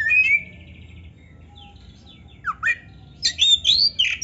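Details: Kacer (Oriental magpie-robin) rival song meant to raise arousal in a lazy caged bird: a buzzy whistled opening, scattered soft notes and a swooping call, then a loud run of rich, sliding whistles.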